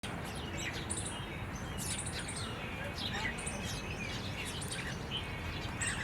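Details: Jungle babbler giving short, high squeaky chirps and thin whistled notes in scattered bursts, heard over a steady low rumbling background noise.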